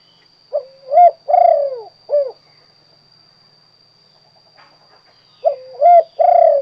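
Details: Spotted dove in kuk 2 song style giving a full low cooing phrase, with a short note, a rising coo, a long burry coo and a clipped kuk, then the start of another phrase after about three seconds. A faint whine continues throughout.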